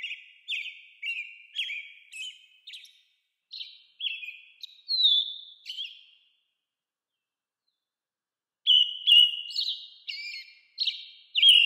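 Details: An American robin calls in a run of short, slurred whistled notes, first a steady series, then a gap of nearly three seconds, then louder, quicker notes. The surroundings are quiet.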